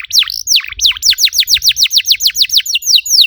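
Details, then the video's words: Canary singing to prompt other canaries into song: bright, strongly downslurred whistled notes repeated rapidly, about four per second, steady and loud throughout. "PANCINGAN EFEKTIF BURUNG KENARI, CORR DORRR!!"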